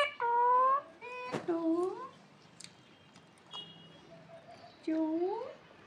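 A parakeet talks in three short bursts of nasal, speech-like syllables with rising, squeaky tones, plus a sharp tap in a quiet room.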